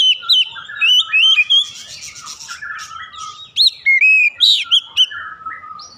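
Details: Oriental magpie-robin in loud, free-flowing ngeplong gacor singing, used to lure others to sing: rapid, varied whistled phrases with rising and falling slurs, sharp chirps and bursts of high notes, about three notes a second, loud and clear.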